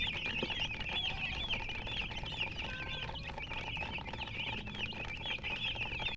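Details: Baby chicks of the domestic chicken cheeping nonstop, their short, bending high peeps tumbling over one another in a busy chorus above faint low noise.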